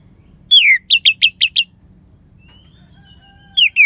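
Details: Anis merah song for goading reluctant birds into song: a long falling whistle, then five short bright chirps in quick succession, silence with a faint distant whistle, and two further slurred notes.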